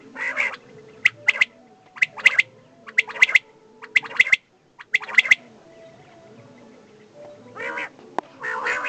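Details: Common quail (desi batair), male and female, giving crisp triple-note calls in steady succession over several seconds, then a pause and a few rougher, raspy notes.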